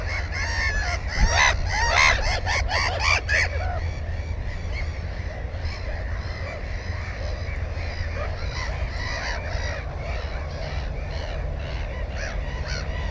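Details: At a Black-headed gull nest containing one egg and one chick, GoPro 4 recording from 15 May 2016: a burst of rapid, repeated harsh calls in the first few seconds, then quieter scattered cries over wind.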